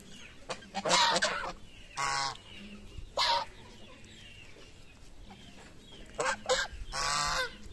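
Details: Geese at a morning feed give separate bursts of harsh honking, each under a second, spaced by quieter gaps with faint chirps and a low hum.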